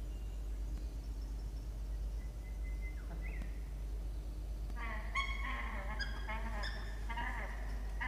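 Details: Peregrine falcon at a nest box on a university campus in Orange, New South Wales, Australia, 6 October 2021, the male asking the female for his turn on the eggs: quiet thin whistle, then harsh rapid chittering calls with strong low hum.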